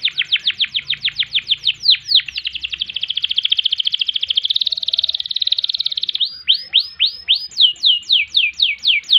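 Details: Canary song for tutoring other birds: a fast series of downward-sweeping notes, a long rolling buzzy trill, then more separate swept notes repeated steadily, with faint low background noise.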